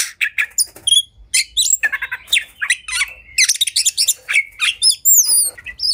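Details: Agitated oriental magpie-robin in fighting mood, whose song is said to rouse rival birds into fanning their tails; busy mix of harsh squawky notes, short chirps and bright whistled slurs, ending with long sweeping high whistles.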